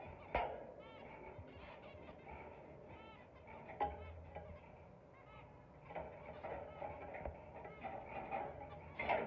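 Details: Zebra finch (Taeniopygia guttata), calls.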